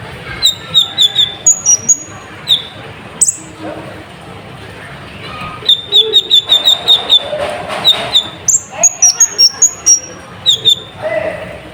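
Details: Konin sunbird lure song for provoking birds, full of fill phrases: strings of rapid high chips and thin whistles in clusters, with low human voices talking underneath.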